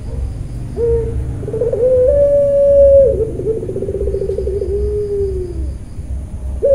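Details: Puter pelung dove from a Central Java bird farm calling: short level coo notes, a long steady hum, then a fast rippling trill fading into a slowly falling drawn-out tone, with low rumbling noise beneath.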